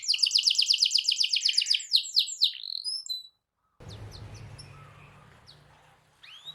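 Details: Canary singing a rolling song used to provoke other canaries: a fast repeated trill and slurred notes for about three seconds, a short silence, then faint notes over low background noise.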